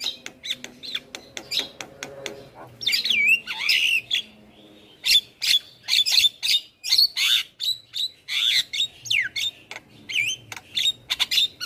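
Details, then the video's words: Energetic Javan myna song used as a master for other birds: clicking chatter, then long buzzy swooping whistles and a series of loud rhythmic harsh notes roughly twice a second, punctuated by clear high whistles. "Jalak kebo Gacor Parah Bikin Burung Lain yang Dengar Ikut Bunyi - Masteran Jalak Kebo Juara"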